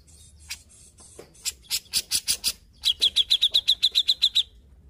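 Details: Grey-cheeked bulbul singing actively: several harsh, rasping broadband bursts, then a fast run of about a dozen sharp, clipped high notes repeated evenly before stopping.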